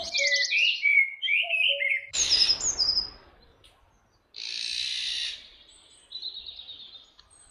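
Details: Iberian Eurasian jay (Garrulus glandarius fasciatus) at Camorritos, Cercedilla, near Madrid, Spain, gives a run of varied, chattering high chirps, then two harsh, hoarse rasping screeches about two seconds apart, with a soft rustle between.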